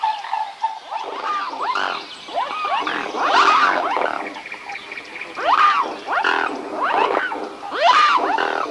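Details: Several swans calling together with overlapping arched, trumpeting honks that rise and fall, irregular and loud, some in quick pairs.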